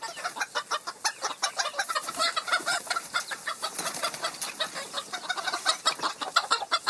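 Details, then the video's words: Flock of chickens clucking, with dense overlapping short clucks throughout and faint crowing-like notes. "Chicken Sound Effect"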